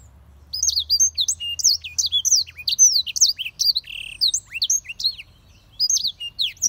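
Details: Black-throated canary in sustained song: a rapid, continuous stream of high, varied chirps and sweeping whistles with a brief buzzy trill midway, over a faint low hum.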